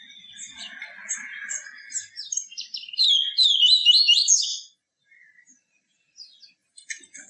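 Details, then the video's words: Pure 'tui tui viviti' song of the yellow-bellied seedeater, for stimulating and teaching captive birds: soft repeated chirps over a faint hiss build into a loud rapid run of high buzzy notes, then near silence with a few distant chirps. "CANTO DO PAPA CAPIM TUI TUI VIVITI, CANTO PURO"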